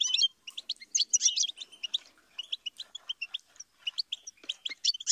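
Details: Steady goldfinch twittering, a continuous stream of high, quick chirps and tinkling notes in uneven clusters.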